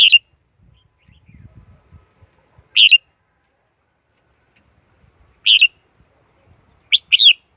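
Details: Red-whiskered bulbul lure song for catching wild birds, recorded clean: single bright chirped notes spaced about two and a half seconds apart, ending in a quick double phrase, with faint low rustling early on.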